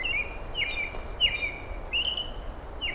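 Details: American robin singing bright, cheery slurred mid-pitched phrases with half-second pauses over soft outdoor hush, on a June afternoon along a riverside trail with dragonflies, American redstarts and a distant mallard.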